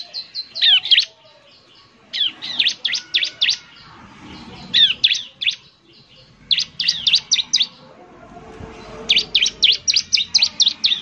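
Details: Semi-gacor bar-winged prinia song played as a lure: clusters of five to eight sharp, high, rapidly repeated chirps separated by short gaps, with faint low background noise between bursts.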